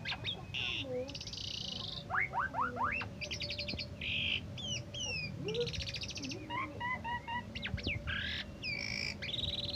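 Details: Asian pied starling singing, a bird that once took first place in a 17 August contest: varied whistles, buzzy rattles, rapid paired chips and hooked upslurs, with a steady low hum and background noise.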